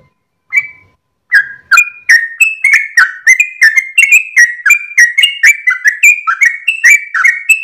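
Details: Sooty-headed bulbul in a long rapid dawn song, tail wagging. A single whistle and a pause, then an unbroken, quickening stream of sweet whistled notes rising and falling.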